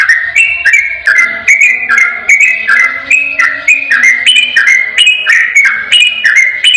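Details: Ropel-style song of a yellow-vented bulbul meant to coax a reluctant bird into replying: a clear, unbroken run of liquid, stepped whistles about two per second, with a soft low droning tone underneath.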